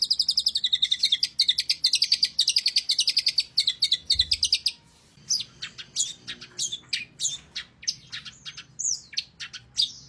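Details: Long-tailed shrike in full, lively song: a rapid run of sharp high chirps, then scattered varied whistles, buzzes and clicks in a fast, jumbled medley.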